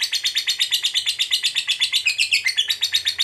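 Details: Ngekek from a fighter lovebird, a call meant to provoke a rival bird: fast, even string of shrill chattering notes, about six a second, dipping slightly lower in pitch near the end.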